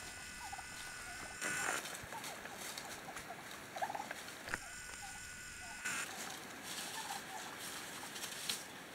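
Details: Wild turkey family in autumn winds in Coronado National Forest: short, soft, low notes scattered through the clip, a few grouped in pairs, over steady wind rush and brief bursts of higher hiss.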